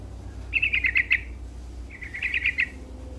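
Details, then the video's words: Sooty-headed bulbul (trucuk) singing briskly: two quick phrases of six to seven bright chirps each, about a second and a half apart, over low background rumble. "Suara Burung Trucuk Gacor"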